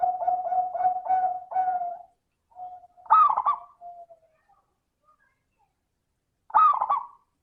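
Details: Zebra dove in full song as a lure for lazy doves, crystal-toned: a run of rapid pulsed coos, then two bright rolling, bubbling phrases separated by quiet pauses.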